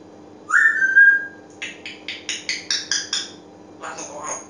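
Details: Pet African grey parrot recorded at home: a clear, steady whistle rising slightly, followed by a rapid run of about eight short pulsed notes and a final fading rasp.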